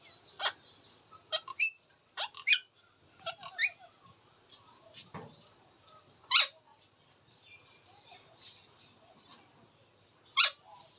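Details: Indian ringneck parakeet, said to be talking, produces clusters of short, shrill squawks and clicks early on, then isolated loud screeches separated by quieter pauses.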